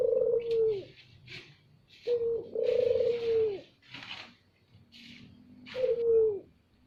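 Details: Puter dove lure sound, loud and strong: three low, drawn-out coos with gaps between, interspersed with sharp rustling or clicking bursts.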